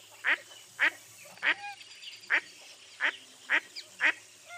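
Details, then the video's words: Mottled duck giving loud, nasal quacks, seven in under five seconds at a quick, uneven pace, with softer calls between. "Mottled Duck Call"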